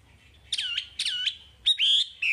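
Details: A Chinese hwamei singing, the recording used to train caged birds: two matching downward-swooping whistled notes, then a long, loud level whistle and a falling tail.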